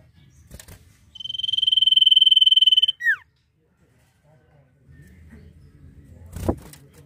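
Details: Common Iora in full nyiul song, giving a rapid buzzy trill held on a single high pitch for nearly two seconds, then a sharp downward-sliding whistle, followed by quiet and a knock.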